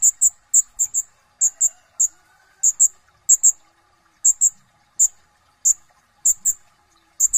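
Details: Brown-throated sunbird (kolibri ninja) in chattering ngobra song style: sharp, very high chip notes, often in close pairs, spaced irregularly over a faint steady low hum.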